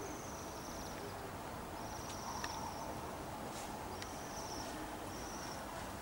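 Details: Waxwings in a city in December 2023, Bryansk: high, thin, buzzy trills, each under a second, given repeatedly by several birds over a steady low urban hum.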